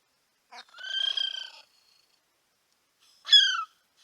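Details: Male kiwi calling at Paignton Zoo: a drawn-out, slightly falling whistled note followed after a pause by a shorter, sharper one, in a quiet setting.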